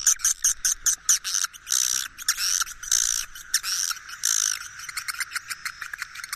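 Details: Swiftlets' roosting ("inap") call recording, dense high dry chirps and short buzzy trills packed in rapid overlapping bursts with brief gaps between.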